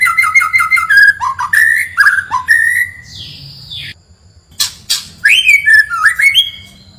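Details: White-rumped shama song played to stir up a neighbour's bird: repeated clear rising whistled notes, a harsh buzzy burst, brief silence, then clicks and more slurred rising whistles.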